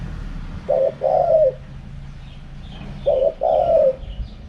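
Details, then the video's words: Spotted dove with wild-style 'karam pa' cooing: two phrases about two and a half seconds apart, each a short low note then a longer rolling coo, faint high chirps of other birds in the background. "เสียงนกเขาใหญ่ คารมป่า 100"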